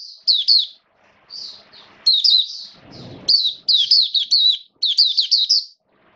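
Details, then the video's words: Mata Puteh, the Oriental white-eye, in captivity in wet weather: thin, high twittering song phrases grow denser toward the end, with a low thump and rustle near the middle. "Mata Puteh Buka Sing"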